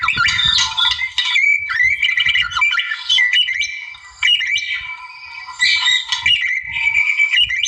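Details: Wild-type white-rumped shama singing to provoke a rival: a dense, loud run of varied whistles, rapid trills and sharp chattering notes, with steady phrases and brief pauses around the second and fourth seconds.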